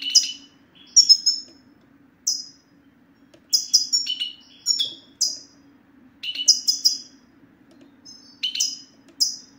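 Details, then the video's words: European goldfinch male giving 'sitsta' calls, intended to make mute males sing; clusters of sharp, high tinkling chirps and falling tweets come in bursts with pauses of one to two seconds, a faint low hum throughout. "ستستة الحسون سوف تجعل الحسون ينطق رغم عنه"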